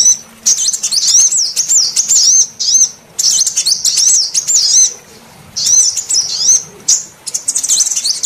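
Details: Female sunbird call played as a lure to coax reluctant males of any sunbird kind into singing; high, thin, rapid twittering in bursts of about one to two seconds, separated by brief pauses, with no other clear sounds.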